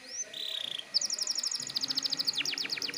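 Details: Canary in 'gacor ngotot' style, used to excite untrained canaries into singing: a short rising whistle and a flat buzzy note, then a rapid pulsed trill ending in quick descending sweeps.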